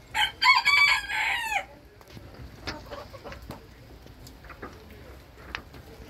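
A Booted Bantam rooster gives a quick, high, strained crow, then a few soft clucks.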